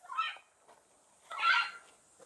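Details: Red-and-green macaw at Buraco das Araras, a sinkhole and bird nesting reserve in Jardim, Mato Grosso do Sul, Brazil; one macaw screams and another answers from across the sinkhole. Two harsh, raspy screams roughly a second apart, with quiet surroundings.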